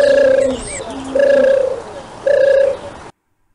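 A dove gives three flat, hollow coos, each about half a second long, spaced roughly a second apart, with nothing else heard.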